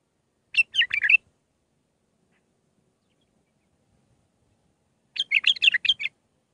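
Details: Bulbul song in the Mandalawi style with six phrases, used for training young birds: two short bursts of quick, bright chattering notes, each under a second, separated by about four seconds of silence.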